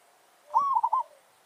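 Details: A village zebra dove's territorial challenge phrase during luring of wild birds: a mellow, held coo breaking into three quick soft bubbling notes.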